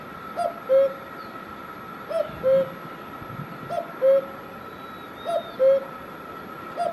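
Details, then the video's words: Cuckoo in Himachal Pradesh, India, repeating its falling two-part call, short high note then lower sustained note, five times roughly every one and a half seconds over a steady hum. "Cuckoo Bird Sound"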